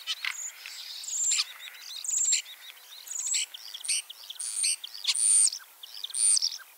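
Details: Spring 2023 in Liepāja, Latvia, a returning ringed common starling delivers rhythmic bursts of clicking, crackling notes roughly once a second, each topped with thin high whistles, between short gaps.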